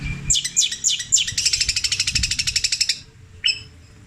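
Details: Javan captive long-tailed shrike doing petir-style mimicry with long, repeated phrases. A few rising squeaky notes lead into a rapid, even stutter of high ticks, then a pause and one last buzzy note.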